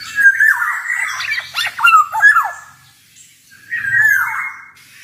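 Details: Tutor recording of an active male black-naped oriole in 'ngalas' style: a long nasal, buzzy phrase breaking into quick rasping notes, a pause, then another drawn-out nasal mew.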